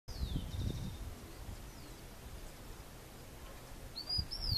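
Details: A female Blue-and-yellow tanager (Rauenia bonariensis), gathering twigs for its nest, gives a thin, high, downslurred note, then a few brief sharp high notes, over low rumbling wind.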